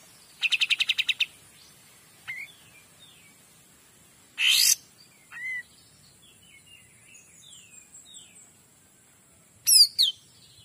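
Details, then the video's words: Varied Kapas tembak song: a rapid buzzy rattle, scattered slurred whistles rising and falling, a harsh explosive burst, more soft descending whistles, then a pair of high sharp chirps at the end. Quiet background. "KAPAS TEMBAK GACOR DOR"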